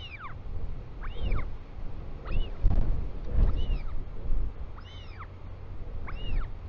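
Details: Royal albatross chick greeting its returning father at a New Zealand nest, 24 July 2020, 4:06 pm: six repeated arched, squeaky calls at roughly one-second intervals, mixed with gusts of wind.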